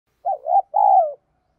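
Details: Spotted dove giving a calling coo in the 'giọng đồng' style, used to train decoy and newly caught birds: one short phrase of two mellow, wavering hoots, then a longer, slightly falling coo.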